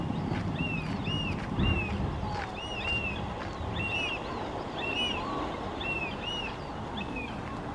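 Black oystercatchers give loud, clear, arched whistles, often in quick pairs, about once a second, over a steady low rumble of surf and wind.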